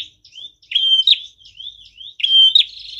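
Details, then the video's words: Prinia singing as lure and decoy song: thin rising slurred whistles alternate with loud flat whistled notes that end in sharp flicks, delivered in an uneven repeated pattern with no other sounds. "Prenjak tamu gacor cocok banget buat pikat dan pancingan"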